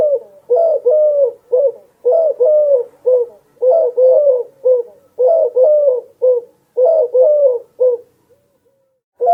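Soft, low hooting coos come in quick bursts of three or four notes with short pauses between, running steadily in a quiet setting.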